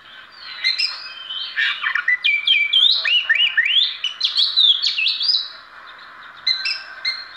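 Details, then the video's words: Oriental magpie-robin, described as an ordinary bird but a uniquely fine singer, giving a show song: a rich, fast run of sweet whistles with slurred rising and falling notes and a few scratchy chips, about six seconds, quiet background. "Chim than trị giá 1tỷ đồng hót biểu diễn"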